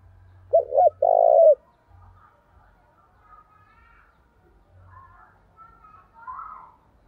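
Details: Decoy spotted dove calling to provoke fights, described in the 'thổ' voice style: one phrase of two quick wavering notes followed by a long, steady, low coo. Faint murmurs and soft sounds follow afterwards.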